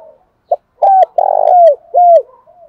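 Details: A spotted dove (Spilopelia chinensis) gives a lure call to provoke and attract other doves: soft, low hollow coos, a brief note, then a long drawn coo and a final falling coo, in a quiet room.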